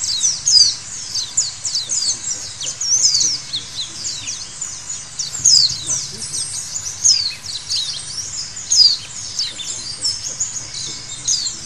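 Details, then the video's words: White-eye in lively, continuous song, a dense chatter of high, piercing downslurred notes tumbling over one another for many seconds, with occasional louder peaks. "Terapi Pleci Segala Kondisi Bikin Gacor!!!"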